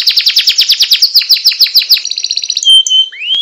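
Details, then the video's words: Canary song for training other birds: a series of quick descending chips, about five per second, speeding into a fine trill, then a pure steady whistle and an upswept note. "masteran suara burung kenari gacor"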